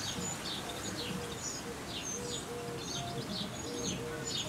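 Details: European wren chicks begging as adults feed them for the last times before fledging. Rapid, high, sliding chirps mix with steady lower tonal notes repeated in short bars.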